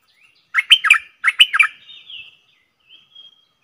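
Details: Stripe-throated bulbul kept in a cage, recorded 7 June 2021: two fast, chuckling warbled phrases in quick succession, then a thin drawn-out whistle and a faint soft trailing note.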